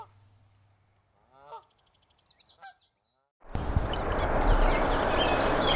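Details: A few soft, nasal Canada goose honks at Somenos Marsh wetland, Vancouver Island, British Columbia, with a thin high trill from another bird, then a loud rush of broadband noise takes over.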